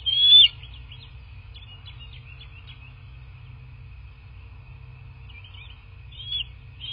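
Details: Bald eagle at a southwest Florida nest on 17 March 2024, morning, picked up by a nest camera. A sharp, loud whistled note opens, followed by a soft chittering of rapid faint notes and another whistle near the end.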